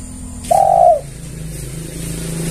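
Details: Lure call of a spotted dove (tekukur): a single loud, flat, low coo lasting about half a second, followed by quiet hum.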